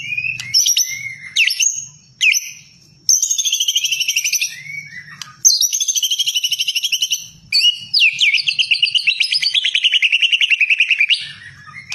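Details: White-rumped shama pouring out rich, loud whistled phrases, rising and falling slurs and long rapidly repeated warbling trills, each phrase broken by short pauses, with faint low knocks in the background.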